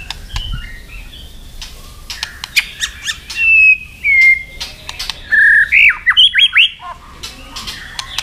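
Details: Fighting song of a white-rumped shama for training: after quiet clicks, clear level whistles and a falling slur, then several steep upswept notes in quick succession, with sharp clicks between phrases.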